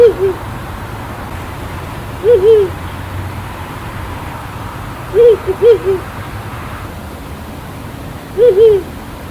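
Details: Hooting Ural Owl recorded in Nagano Prefecture, Japan: short, low, wavering hoots, single or paired, spaced about every three seconds, with faint broadband background hiss and rumble.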